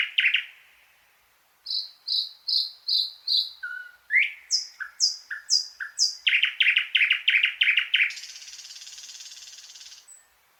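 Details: Thrush nightingale singing rhythmic series: evenly repeated high whistles, a low slurred note, higher repeated notes, then a burst of loud knocking notes merging into a long dry rattle.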